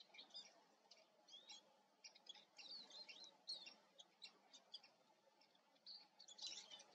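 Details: Eurasian siskin twittering softly, with scattered high chirps and short trills against a noticeable hiss of background noise.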